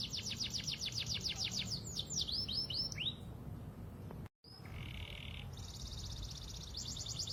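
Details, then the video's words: Panda canary singing as a lure to draw another canary into song. Fast high trills give way to falling sweeps. After a brief break comes a buzzy lower roll, then another rapid high trill, over a constant background hum. "Kenari panda gacorr pancingan kenari paud"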